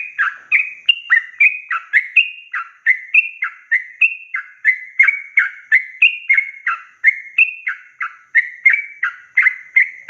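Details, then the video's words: Long rapid 'ropel panjang' song of a yellow-vented bulbul, played to get young and newly caught birds singing: rich, liquid slurred whistles rising and falling, delivered nonstop at roughly three notes per second. "Trucukan gacor ROPEL PANJANG ini BIKIN burung trucuk BAHAN, BAKALAN, MUDA GACOR"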